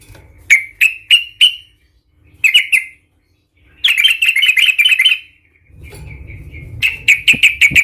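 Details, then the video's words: Yellow-vented bulbul in a raging, fighting "Tarung Garuda" style, meant to provoke other bulbuls into singing: a run of sharp "cuk" notes, then a dense chattering burst and another quick series of bright clipped notes, with low hum below. "Suara trucukan gacor Cuk cuk ngamuk Tarung Garuda - Ampuh untuk pancingan trucukan agar bunyi EMOSI"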